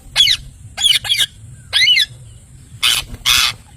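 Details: A handful of loud, rasping parrot squawks, some single and some doubled, ending with two broader, noisier screeches.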